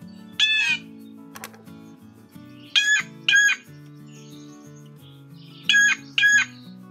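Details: Blue Jay, a common New England backyard bird that is often loud in groups, giving five loud, harsh, nasal jay calls, single then in quick pairs a few seconds apart, over soft background music.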